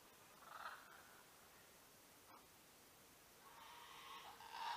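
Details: Scarlet macaw released into the wild at the Punta Islita Wild Macaw Reserve, visiting feeders on a Sunday morning. A brief harsh call comes first, then after a pause a longer, grating, broadband squawk that grows louder toward the end.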